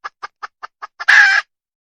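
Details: Red junglefowl hen, wild: six crisp, regularly spaced clucks lead straight into a loud, harsh, buzzy squawk lasting under half a second, with silence afterwards.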